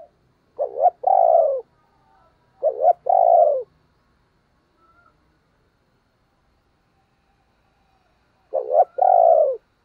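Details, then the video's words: Decoy spotted dove calling to trigger cooing in other doves. Three identical phrases, each a quick double note followed by a long sliding-down coo, spaced about two and eight seconds apart, otherwise silence. "Tiếng Chim Cu Mồi dùng Kích Bổi Hiệu Quả Mở Là Gáy"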